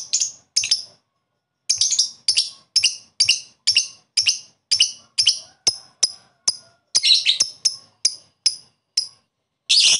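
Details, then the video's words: Lovebird calling out to a rival to excite other lovebirds: a long series of sharp high chips and harsh squawks, irregularly spaced, some in quick pairs, with brief silences between. "Lovebird koek memanggil lawan di iringi ngekek mantap untuk menaikkan emosi lobet lain"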